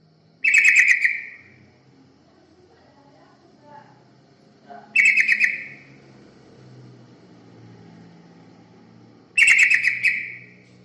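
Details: Yellow-vented bulbul song used as a lure to attract other birds: three short, bubbly chirping phrases, roughly every four to five seconds, each echoing briefly, over a faint low background hum.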